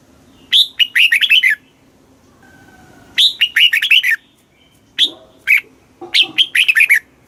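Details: Red-whiskered bulbul song, played to excite caged birds and teach young ones; loud, clear phrases of rich whistled and warbled notes, each opening with a high note then a quick tumbling run, repeated at intervals of about two and a half seconds.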